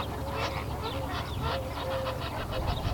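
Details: Greater flamingos calling as a group on 19 February 2017: steady overlapping honking and gabbling from many birds, with a low rumbling background throughout.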